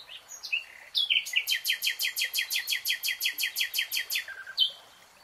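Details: A common nightingale sings in a lush green forest: a few varied high whistles, then a fast rattling run of about seventeen loud, identical notes, roughly six per second, before ending on a sharp phrase.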